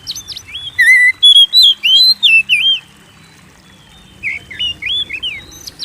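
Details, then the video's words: White-rumped shama song used to trigger singing in kept birds: a run of loud, clear whistled phrases and wavering slurs, a pause, then a softer string of quick whistled notes. "Pancing Burung Kacer Gacor"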